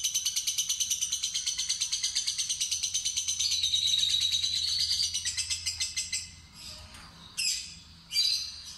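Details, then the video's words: Fighter-type lovebird in a long ngekek ngetik trill, from a trial of luring a still very green bird to sing: rapid buzzy rattle for six seconds with a brief rising whine midway, then broken bursts after pauses. "Percobaan Pancingan Lovebird Fighter Ngetik Ngekek Terpanjang"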